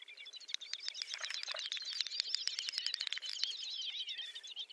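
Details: Great Snipe males lekking in Ryazan oblast, Russia, in April 2019: a fast continuous bubbling chatter of clicking ticks and high twittering notes, running unbroken through the clip.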